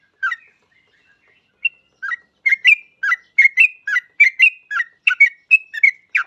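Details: Yellow-vented bulbul in active song, used to lure other bulbuls into singing; a few scattered chirps, then a rapid, steady stream of bubbly warbled notes with clear whistled endings, building in pace.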